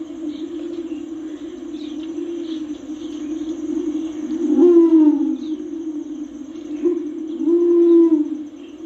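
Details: Torresian imperial pigeon giving two deep, rising cooing notes about three seconds apart, over a steady low droning hum and faint high insect chirping.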